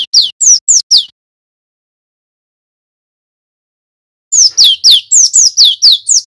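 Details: Male cinereous tit lure song for training birds to ngeriwik and ngerol: a quick run of four falling whistles, a pause of about three seconds, then eight more rapid downslurred notes at about four per second.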